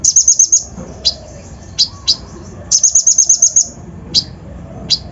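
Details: Sunbird (kolibri ninja) song played as a lure to rile other birds, loaded with copied phrases: a short high trill, spaced piercing chirps, then a longer trill of about nine notes and further lone chirps.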